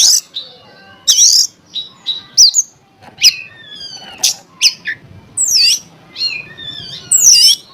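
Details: Oriental magpie-robin song used as a lure to provoke other magpie-robins into singing: loud, varied phrases of sweet whistles, sharp rising and falling notes and harsh squawky bursts, with short pauses between phrases.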